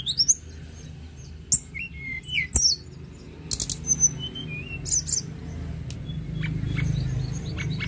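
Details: Sunda robin singing vigorously: scattered high thin whistles, some rising and falling, mixed with short buzzy bursts and sharp chips, separated by pauses over a steady low hum.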